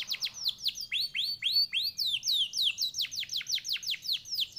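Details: Contest canary from Pekalongan, Central Java, singing a fast, steady run of clear whistled notes that slide downward, repeated about twice a second, with higher sliding notes layered over the run.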